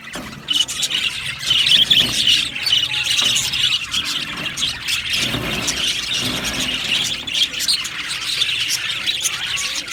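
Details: Happy aviary budgies, crowded high chattering and squeaky chirps with several louder bursts early on, then a broad noisy wash midway behind the continuing flock sound.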